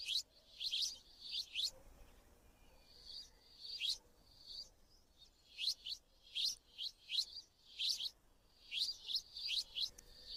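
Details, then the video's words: Sparrow chirping in short, high, sharp bursts, clustered chirps repeated at irregular intervals over ten seconds, with steady background hiss. "Sparrow chirping"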